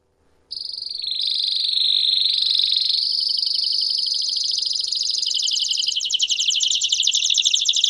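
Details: ['Belgian canary beginning abruptly with a smooth, sustained high rolling trill that steps up in pitch and grows louder and busier toward the end.']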